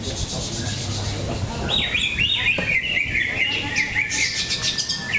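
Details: Greater green leafbird in a songbird contest at an arena in Cikeas, Indonesia: a loud run of rapid, varied whistled and chattering notes repeating about four per second, over crowd murmur and background hum.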